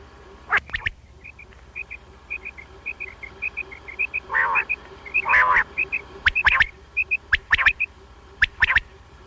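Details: Quail, a single male, calling at night: short high paired notes repeated steadily, with loud clicks, knocks and a constant low hum in the background.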